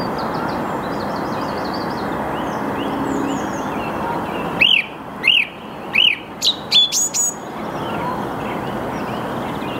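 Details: Song thrush singing in the early morning, 8 March 2022 at 08:10, Saarn-Mendener Ruhraue, Mülheim an der Ruhr. After a steady rushing background, loud clear phrases come: a rising whistle given three times, then sharp high notes repeated in quick succession.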